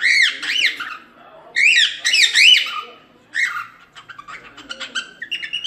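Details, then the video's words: A cockatiel sings a run of loud, arching whistled notes sweeping up and down in rapid succession, two main phrases followed by quieter, scratchy chirps and short twittering notes. "Canto da #Calopsita"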